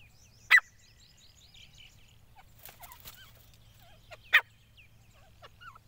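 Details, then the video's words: A native male grey francolin gives two loud, sharp, ringing notes about four seconds apart, while small birds twitter softly in the background. "desi nar ki awaz full setail | gora teeter ki boli"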